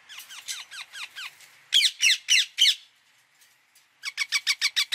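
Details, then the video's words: Indian ringneck parakeet calling in a series of harsh, screechy squawks, each sharply descending, delivered in quick bursts of four to seven notes with short pauses between runs. "1 hour parrot sound | ringneck"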